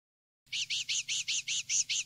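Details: Common linnet, a field-style song recording used to tutor young linnets: a quick trill of eight bright, buzzy notes repeated about five times a second, set over a faint low hum.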